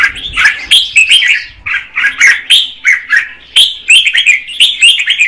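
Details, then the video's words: Red-whiskered bulbul female singing to stimulate the male, clear bubbling warbles and chirps in quick rhythmic bursts, about two per second. "Chào mào mái hót kích trống Red-whiskered female"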